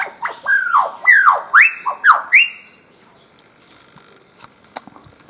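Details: Male Albert's lyrebird calling during display in a confined spot within thick foliage, Main National Park, Queensland, mimicking other birds. A loud series of about eight swooping whistled notes, each sliding down then up, over roughly two and a half seconds, followed by quiet rustling.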